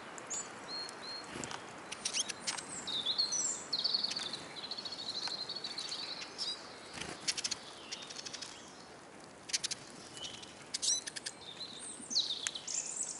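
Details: Hungry Eurasian siskins flocking to a bird table in Kolmården, Sweden, heard from a camera placed on the ground underneath: a near-continuous high twittering chatter mixed with frequent sharp ticking clicks and taps.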